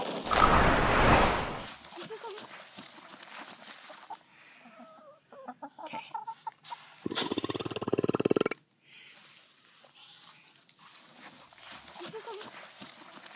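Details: A pet Eastern Bronze tom turkey, squeezed slightly as he drags his wing to release held air, gives a sudden, loud, airy puff, soft clucks and murmurs, then a second rasping, rattling burp-like burst.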